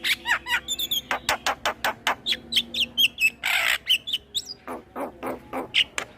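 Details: Male Asian pied starling with a varied tutor song for other starlings: a dense stream of clicks, whistles and chattering notes, with one long harsh rasp in the middle.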